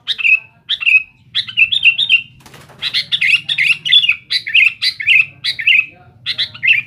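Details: Sooty-headed bulbul singing loudly to challenge rivals, repeating clipped chirp-and-slur phrases that quicken into a busy chatter, with a soft low hum and a brief rustle.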